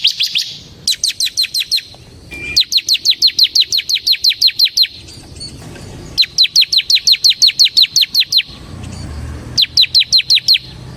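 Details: Ciblek semi (bar-winged prinia) singing for use as a lure and master song: long, regular series of loud, high, clipped notes about three per second, in three extended bursts with pauses.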